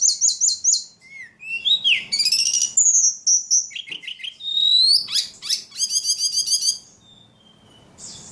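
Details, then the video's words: Prolonged outpouring from a highly vocal ledekan: quick repeated chips, buzzy rattles, downslurred and upslurred whistles and fast trills, varied phrase after phrase with few pauses. "Burung ledekan paling gacor"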